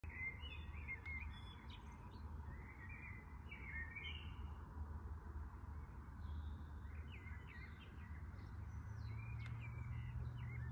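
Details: Common blackbird singing: short warbled and twittering phrases with some fluted notes, repeated with brief pauses, over a steady low rumble of background noise.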